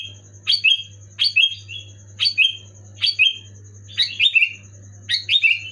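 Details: Sooty-headed bulbul singing vigorously to encourage silent pet bulbuls to sing: six quick, liquid whistled phrases about once a second, each starting high and tumbling downward, with a steady background hum and faint high tone.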